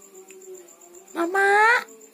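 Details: Javan myna that mimics words and whistles, indoors, producing a loud, clear voice-like syllable with rich harmonics, slightly rising, after a quiet hum.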